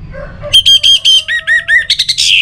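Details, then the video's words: Orange-headed thrush song used to prompt other birds to sing: after soft low notes, a loud run of clear whistled notes near one pitch, then lower double-noted whistles and a rising burst at the end. "ANIS MERAH Untuk Suara Pancingan Burung Agar Rajin Bunyi Ngeplong Pagi sampai Sore Hari"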